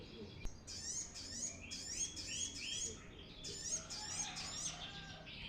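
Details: Brown-throated sunbird in full song, used to lure and train birds: bursts of high twittering and sliding notes in short phrases, separated by brief pauses, with a single click near the start.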